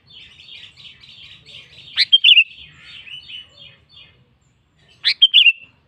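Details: Sooty-headed bulbul calling a rival in energetic song: a soft, continuous buzzy chatter, then two loud phrases about three seconds apart, each a harsh burst followed by rapid bright whistled notes.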